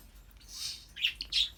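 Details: African grey parrot kept as a pet, making short, very high squeaky chirps in two or three quick bursts, the last rising sharply.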